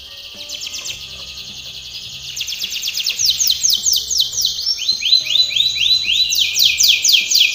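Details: Canary song used for training: rapid buzzy trills and rolls, shifting between fast repeated notes and slower falling sweeps, rising in loudness, with a faint low hum beneath.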